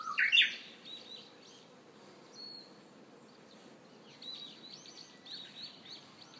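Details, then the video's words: Early-summer Japanese bush warbler in Hiroshima gives one brief rising, explosive phrase at the start. Afterwards only scattered high chirps from other birds remain. "Japanese Bush Warbler early summer in Hiroshima"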